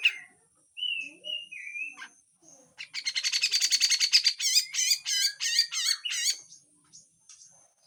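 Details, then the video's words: Grey-cheeked bulbul giving a harsh full song: a few whistled slurred notes, then a fast burst of buzzy, rattling notes repeated about three times a second, ending in sharp chattering phrases. "MASTERAN CUCAK JENGGOT FULL KASAR DAN BESETAN"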